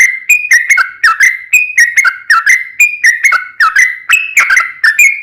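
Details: Lively sooty-headed bulbul song for prompting other bulbuls to answer: a running series of clear, slurred whistles, alternating higher and lower notes, steady and unbroken for over five seconds.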